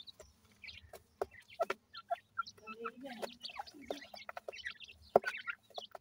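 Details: Grey francolin adult accompanied by calling chicks; rapid high-pitched cheeps, some slurred downward, pour out in busy bursts, mixed with a soft low clucking murmur mid-way.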